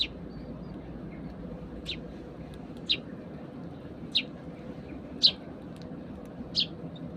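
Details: Sparrows eating breakfast in the morning, whistling to one another while feeding. Short, sharp, high chirps come singly about once a second over a steady low background hum.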